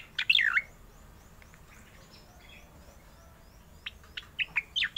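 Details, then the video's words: Oriental magpie-robin in rolling song: a few loud whistled notes sweeping between high and mid pitch at the start, a quiet gap, then a run of sharp rising and falling whistles near the end, with faint chirps behind. "cica koreng gacor suara ngeroll"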